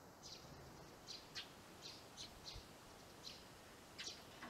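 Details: Sparrows settling into a homemade nest box after losing last year's breeding site: soft high chirps spaced about every half second, fairly faint over a background hiss.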